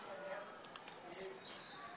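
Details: Blue-black grassquit from Jacarepaguá, Rio de Janeiro, giving one short, loud, high buzzy note that sweeps downward, after faint ticking sounds.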